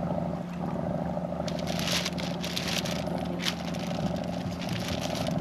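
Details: A steady low engine drone from a boat runs throughout, with bursts of splashing and crackling water from the second second on, and no animal calls.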